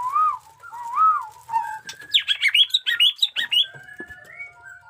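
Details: White-rumped shama, 'jenggot dewa' type, in new plumage, a fierce singer: two looping mellow whistles, then a burst of sharp high chattering notes and a thin trailing whistle.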